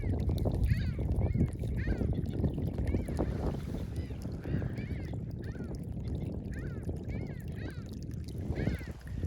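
Several Mediterranean gulls give nasal, cat-like rising-falling 'kyow' calls in quick overlapping succession, behind a man's speech and low wind and water rumble.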